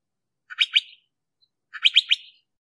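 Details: Crissal thrasher calling: two bursts of harsh, rattling notes in quick threes, about a second apart, in an otherwise quiet setting.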